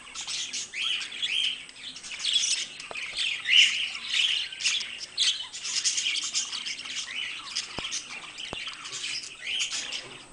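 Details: Two pet budgerigars produce long, unbroken chatter: raspy squawks, chirps and bright whistles tumbling over one another in uneven bursts, with a few faint clicks in the background.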